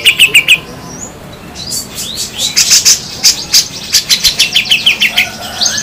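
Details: Harsh 'besetan' singing of grey-cheeked bulbul, local versus Sumatran birds: a short burst of high chirps, then a run of sharp, rapid, evenly spaced notes and slurred whistles repeated about three times a second.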